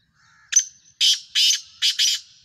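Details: Pakistani Black Francolin, Sindhi kind, gives a crisp introductory note followed by four rasping, scratchy syllables grouped in pairs, loud and clear over a silent background.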